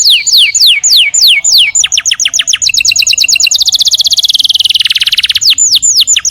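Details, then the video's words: Home-kept canary sings spaced falling whistles that speed into a dense rolling trill, then returns to slower sweeping notes; bright, high and loud. "Burung kenari gacor rumahan"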